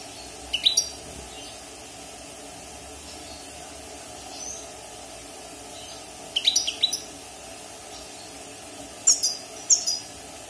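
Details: Caged wild European goldfinch fresh out of its moult, six months in captivity, uttering three separated clusters of sharp high twittering notes with long pauses between, faint steady background hum.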